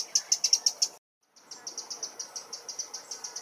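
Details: In a London park, a Eurasian wren gives its teck teck teck alarm at a potential nest enemy such as magpies or crows: a quick run of sharp, high clicks, a short silence, then a faster, steadier series.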